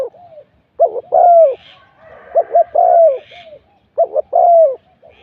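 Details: At luring spot 41, a spotted dove used as a decoy sings deep, mellow coos. Three phrases, each made of brief stacked notes followed by a sustained, gently descending coo.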